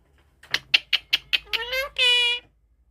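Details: Pet parrot talking when asked its name indoors: a run of six short, sharp clipped syllables, then a rising harmonic sweep and a longer loud, rich, nasal tone ending abruptly, with a person's voice prompting around it.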